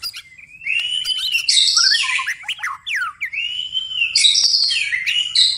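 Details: White-rumped shama (murai batu), gacor at night: varied, fluty whistled phrases with swooping slurs and harsher high rasping notes mixed in, delivered continuously.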